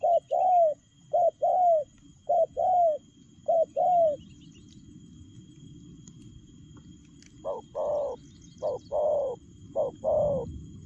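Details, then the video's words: Spotted dove delivering fast 'lèo gù' style coos in quick pairs, a pause with steady background hiss and faint insect-like noise, then a second rapid series. "Nết chơi nhanh lẹ, gù tốc độ.Clip445/ Nước chơi lèo gù"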